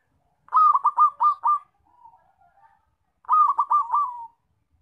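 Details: Loud zebra dove call kept for luring and trapping birds: two bursts of rapid, rolling, throbbing coos separated by a quiet, drawn-out low coo.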